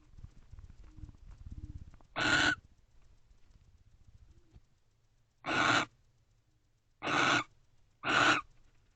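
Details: A barn owl in a nest box around 12:30 am on 30 Nov 2023, as the pair guard the entrance together and share affection, gives four harsh, hissing screeches, each under half a second, spaced irregularly over a faint low rumble.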